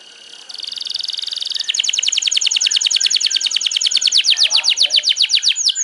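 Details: Canary singing vigorously (gacor) in the afternoon, from a bird-tutoring recording: a sustained buzzy trill leads into a long, fast run of sharp, high repeated notes, about seven per second, growing steadily louder with a quiet background.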